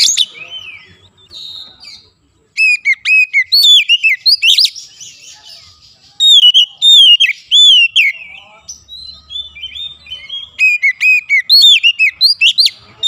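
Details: Oriental magpie-robin song used to restart a silent bird's singing: long sequences of rapid, repeated whistled notes, each flicking up and sliding down, broken by a brief total silence early on.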